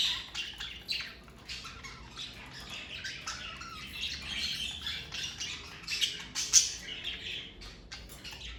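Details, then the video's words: Pet parakeets giving a continuous soft chatter of short scratchy chirps and clicks, a little louder near the end, with no other sounds. "Birds Chirping Sound Effect!"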